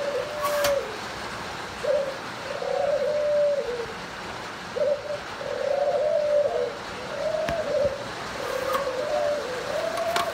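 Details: Successfully paired breeding spotted doves of Thai type; repeated soft, low, hollow coo phrases with rising then falling notes, several phrases in sequence, with occasional sharp clicks and steady background noise.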